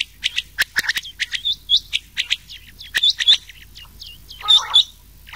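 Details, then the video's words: Rain quail calling in a mix with old quail, meant for quail hunting at night in summer; sharp hooked high notes, often paired, repeat quickly, with one rough lower burst near the end. "Changah Ki Awaz / Rain Quail"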